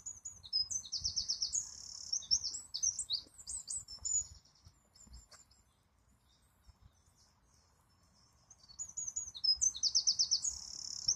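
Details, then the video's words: High, shrill wren song: a lively phrase of quick notes and trills, a quiet stretch of several seconds, then another trilled phrase begins. "This is A Singing Wren"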